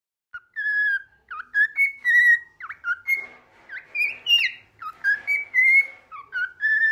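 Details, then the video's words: Tame bird perched on a person's finger keeps singing: a varied string of clear whistled notes, some slurred up or down, others short chirps, arriving in quick bursts with brief pauses. "singing bird."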